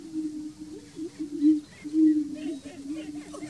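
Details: Low, steady moaning drone from greater prairie-chickens at the Bledsoe Ranch lek, with soft looping higher notes weaving in and two louder swells.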